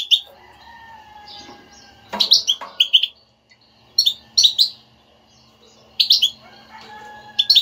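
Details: Goldfinch betbeta twitter, played to provoke singing in a goldfinch that will not sing: clusters of sharp, high, tinkling chirps every couple of seconds, with faint thin tones and a brief rattle between.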